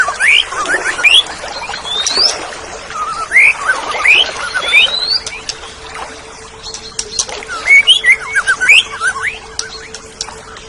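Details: Oriental magpie-robin singing in tutor material for caged birds: jumbled, rapid whistles and rising and falling chirps in two dense bursts, with a quieter pause between them and a steady faint hum underneath.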